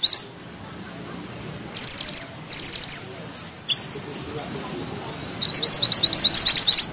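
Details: Grey bushchat singing in a dense, sharp-edged rolling style: a short high note, two bursts of rapid thin trilling, a lone click, then an accelerating series of sharp, rising high chirps near the end.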